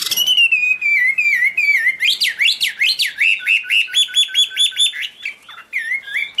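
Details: Chinese hwamei giving high, pure song: a long falling whistle, then a rapid series of sharp up-and-down whistled notes repeated about twice a second, followed by a steady run of even chirps and a final slurred phrase.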